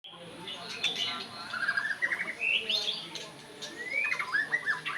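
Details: Oriental magpie-robin, its call named by its local name: rising slurred whistles and buzzy rattled phrases, with several sweeping notes near the end, over a steady background hiss and faint chatter of other birds.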